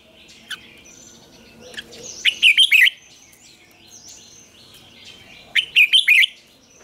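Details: Red-whiskered bulbul morning song with old wild-style double notes, played for training: two phrases of four rapid bright whistled notes about three seconds apart, softer background birdsong throughout.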